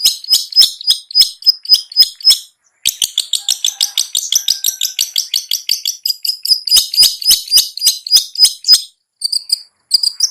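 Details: Cendet, the long-tailed shrike, delivering ngetet song as a lure to stir slow, unmotivated shrikes into singing: long rapid series of high, scratchy ticking notes repeated several per second, one brief pause, then short sharp notes at the end.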